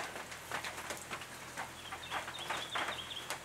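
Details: Brown treecreepers of the eastern subspecies victoriae at a nest box on restored farmland in the Capertee Valley, NSW, late August 2018: a rapid run of thin, high, piping notes in the second half, amid scattered clicks and tapping.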